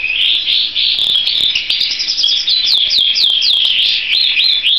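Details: Canary with continuous bright warbling that moves into a quick series of sharply down-slurred whistled notes, repeated several times in a row.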